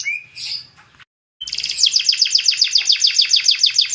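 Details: Canary singing in the chirpy gacor style to prompt other canaries: a few scattered notes, a short pause, then a sustained, fast, evenly pulsed trill of sweeping notes.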